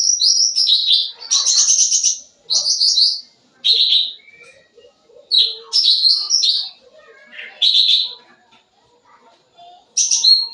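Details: Sooty-headed bulbul in lively full song, used as a lure for young birds: loud high trilled and buzzy bursts with quick whistled slurs, phrases separated by short pauses, faint lower chirps between.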